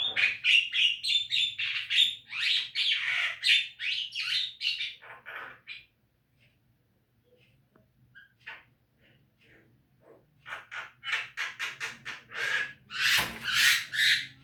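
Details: Javan myna training song for caged birds: dense chattering bursts of harsh, buzzy and whistled notes, a quiet gap of a few seconds, then another fast chattering series ending in loud rasping screeches; low hum throughout.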